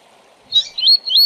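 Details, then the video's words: Brief fragment of the tui tui zel zel song of a tournament Double-collared seedeater. A buzzy note is followed by two high whistled sweeps, each with a bright rising tail. "Tui Tui Zel Zel para Encarte e Manejo de Papacapim e Coleiro de TORNEIO"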